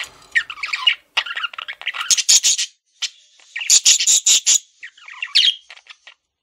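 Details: Pet male budgerigar giving rapid chattering warble, mixing scratchy clicks, high squeaky notes and nasal buzzes in quick phrases separated by short silences.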